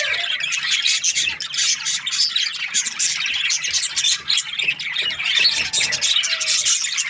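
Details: Budgerigars chirping in the morning: a dense, continuous flock chatter of quick warbled chirps and squawky notes, steady throughout with no pauses.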